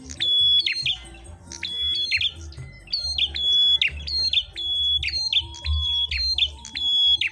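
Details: Prenjak kepala merah in a singing fight: insistent high whistled notes with short crackling tails, repeated almost continuously across the stretch, over low-pitched hum.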